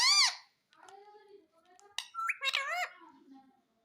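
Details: Parrot mimicking speech, reportedly saying mummy papa and asking for roti: a sharp high squawk-like syllable, softer low murmuring, then a cluster of bright bending voice-like syllables.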